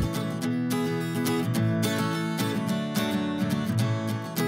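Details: Strummed and plucked acoustic guitar music plays steadily throughout, with no animal voice heard.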